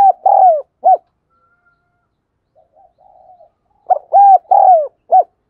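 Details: Spotted dove kept as a lure bird, giving prodding coos and calls. A burst of loud, low, arched cooing notes, then a pause with faint soft notes, then a second burst of four cooing notes.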